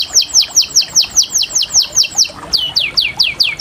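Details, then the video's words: Canary song: a steady run of clear downward-slurred whistled notes, roughly four per second, with a brief change of phrase midway into similar falling notes. "The natural beauty of the amazing chirping of small birds"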